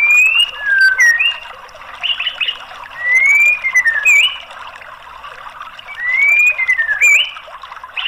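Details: White-rumped shama song used as a lure to prompt a silent bird to sing: clear whistled phrases sliding up and down, broken by short pauses, with faint high squeaky notes above.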